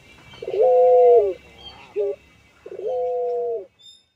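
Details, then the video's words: Caged puter pelung collared dove cooing while nodding its head: two long, steady, slightly falling mellow coos separated by a brief short coo, warm and resonant, with a faint high tone at the end. "Burung Puter Pelung – Suara Merdu"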